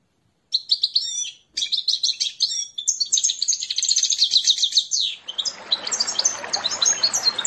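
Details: Canary singing in goldfinch style, imitating goldfinch: fast, high twittering phrases of rapid trills and bright whistled notes, continuous with brief pauses, later joined by a rushing broadband hiss.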